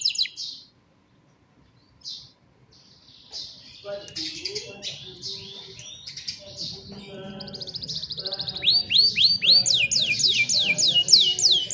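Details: Young canaries sing to coach other canaries, cellphone recording. Scattered short chirps with pauses give way to varied warbled phrases, building into rapid, repeated descending sweeps at the end.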